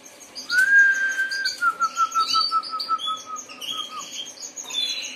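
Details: A Harz Roller canary (Serinus canaria) sings a low, sustained whistled note, then a rolling run of quick notes that slowly drops in pitch; higher chirps from other birds behind.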